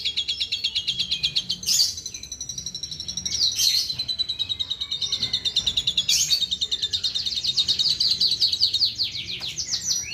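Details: Jalak suren copying other birds' calls: long runs of rapid, high pulsed trilling, broken every couple of seconds by brief harsh bursts, then resuming with slightly varied notes.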